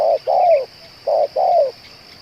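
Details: Two paired coos from a spotted dove kept as a lure bird: each a brief low note followed by a drawn-out, slightly falling coo, clear and loud against faint hiss and a high electrical whine.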